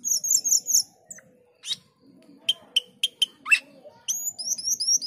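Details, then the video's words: Eager male cucak keling alternates bursts of high slurred chirps with sharp clicking notes and a rising whistle; a soft low murmur sits underneath. "Cucak keling jantan gacor menyusun lagu"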